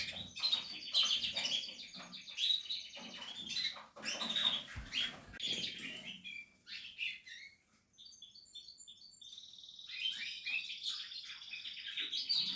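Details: Portuguese harlequin canary building a nest, with dense high chattering and twittering that gives way to a clear series of evenly spaced rolling trill notes and a sustained high trill.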